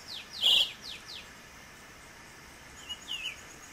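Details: A wild female Green-winged saltator in Pernambuco, northeastern Brazil, gives a short run of high, quick downslurred notes, a brief pause, then a few thinner chips, over a faint steady background hiss.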